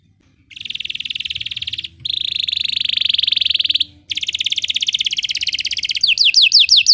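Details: Belgian canary singing as a training song for canaries: long rolling buzzy trills broken by short pauses, closing with a few sharp descending whistled notes; a soft low rumble sits underneath.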